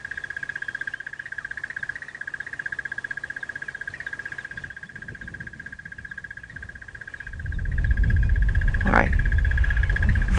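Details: At sunrise on 16 November 2017 in the Sabi Sand, South Africa, a Crested Barbet calls frantically from a false marula tree, apparently proclaiming its territory. It gives a long, even, rapid mid-pitch trill like an old phone ringing, and vehicle rumble and speech come in near the end.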